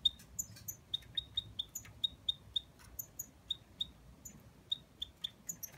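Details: Goldfinch x canary hybrid giving a quiet series of brief, clear whistled notes, repeated about three times a second with occasional higher chips, over a low background rumble.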